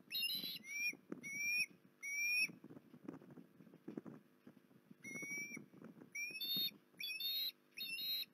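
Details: Osprey calling at Port Lincoln, 19 January 2021: about nine loud whistled notes that each slur upward, delivered in bursts with short pauses, set against a constant low pattering, rumbling noise.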